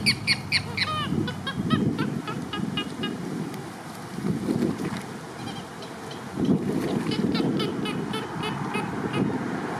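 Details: Purple gallinules at Lake Hollingsworth, Lakeland, Florida, taking a break from nest building and asserting territorial pecking order within the group: rapid series of harsh, clucking notes at the start, then wind and low rumbling noise.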